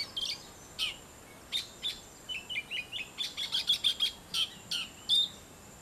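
An Oriental magpie-robin sings a quick run of about eighteen short notes, clear high whistles mixed with scratchy chirps, delivered two or three per second against a quiet background.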